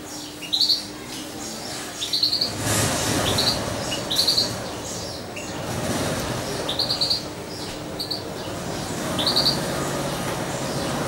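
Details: Two-month-old European goldfinch, raised by syringe feeding and kept near its owner indoors, repeats bright high twittering chirps in little clusters, over a rising rumble of background noise.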